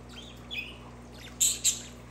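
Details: Budgerigar giving a soft rising chirp, then two short, loud, harsh squawk bursts close together near the end, over a steady low electrical hum.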